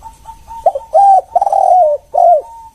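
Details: Spotted dove, 'kuk 1' lure call: a soft steady tone, then a loud coo phrase of a short note, a rounded coo, a long sustained falling coo and a closing rounded coo, slightly distorted.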